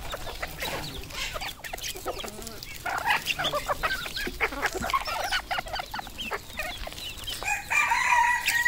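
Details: Red junglefowl kept on a farm in Cambodia: many overlapping clucks and short calls in an irregular stream, ending with a louder, sustained harsh call near the close.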